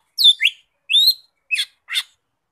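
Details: Cucak ijo mini, the lesser green leafbird, gives a few high whistled phrases, one sweeping downward, followed by two short buzzy chips, spaced about half a second apart against silence.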